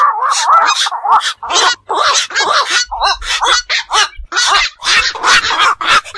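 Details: Black-crowned night heron, seen at ponds and marshes and calling after dark, producing hoarse, barking croaks in rapid irregular series, some overlapping as if from several birds.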